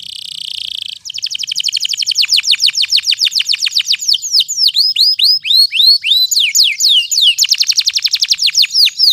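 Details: Loud, energetic canary song meant to stimulate canaries that have stopped singing and to tutor two- to four-month-old young birds: a long series of clear, sweeping whistled notes, about four each second, broken by brief pauses.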